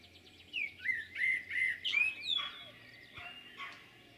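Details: Common blackbird singing at Jūrmala, Latvia, on 11 June 2022: rich fluting whistled phrases that rise and fall, several notes in quick succession, then a softer scratchy ending, over faint low background hum.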